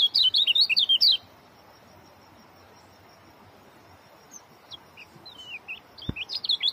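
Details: Oriental white-eye singing a fast, dense short-speed song: a burst of high, rapid, twisting whistled notes for about one second, then near silence with a few faint, scattered chirps and a soft tap near the end.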